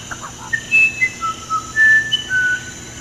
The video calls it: CANTO DO UIRAPURU VERDADEIRO